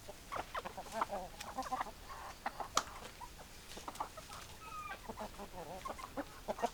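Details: Flock of chickens clucking, quick clucks and short cackles from several birds, one sharp loud click partway through, faint whistled note later.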